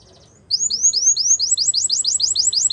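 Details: Belgian canary sings a fast trill of high, sweet upslurred notes that speed up to about six per second, with a faint low background hum.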